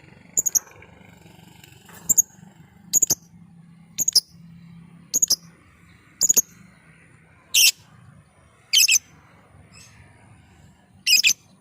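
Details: Lovebird lure call: around ten shrill, high chirps and short screechy bursts, some doubled or tripled, repeated roughly every second over a faint low hum.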